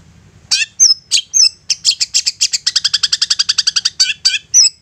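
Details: Long-tailed shrike in a provoking song meant to make other shrikes respond: a few sharp squeaky notes, then a fast run of about twenty evenly spaced high chattering notes, ending with whistled squeaks.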